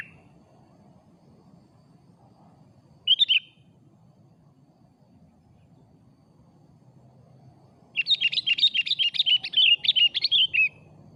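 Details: Afternoon lure recording of a lively Sooty-headed bulbul: one brief bright note, a long silence, then a rapid chattering sequence of clear, sharply bending whistled notes lasting about three seconds, against a quiet background.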